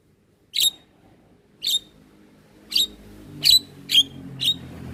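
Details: Black-winged myna calling in a cage-bird training recording: six sharp, loud, clipped notes spaced about one second apart over faint background noise.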